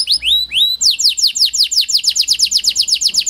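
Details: Panda canary lure song used to rouse lazy canaries: two upward-sliding whistles followed by quick, regular downslurred chirps, roughly six per second.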